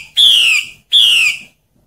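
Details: Female hwamei in the wild forest, calling in breeding season to draw males; two clear, strong whistled notes, each gliding downward, separated by a short pause, then silence.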